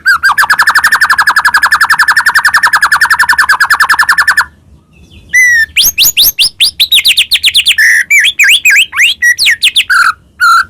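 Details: White-rumped shama from Medan in continuous full song as a provoking lure: a long even trill of rapid repeated notes for four seconds, silence, then varied sharp whistles and chattering phrases.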